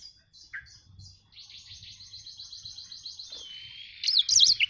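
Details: Black-throated canary song in full flow: short high notes, then a long, even buzzy trill, ending with a loud burst of sharp, zigzagging whistles.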